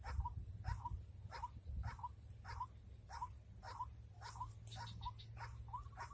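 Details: White-breasted waterhen lured by trappers in the rainy season, repeating brief hoarse notes roughly every 0.6 seconds, each joined by a sharp click, over constant low hum.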